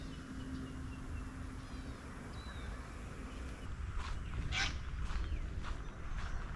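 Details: Little Wattlebird feeding on grevillea gives a few harsh, raspy, cackling notes in a quick burst, over a low rumble and faint thin chirps; morning walk at Samford Eco-corridor near Brisbane, Australia.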